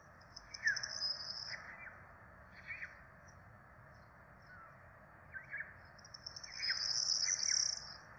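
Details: Four Peregrine falcon nestlings in Rome, being fed on 12 April 2024, beg in two bursts of shrill, squealing whines near the start and end, with softer scattered notes between over constant hiss.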